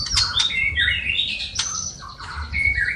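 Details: Softer stretch of a singing white-rumped shama with copied sparrow, fighting lovebird and kapas tembak calls. Sliding whistles and squawky notes sound over steady low background noise.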